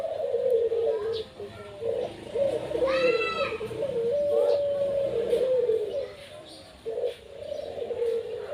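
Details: A kept Barbary dove (puter) singing: steady low, rolling coos repeated through the stretch with short gaps, with a brief human voice in the background midway.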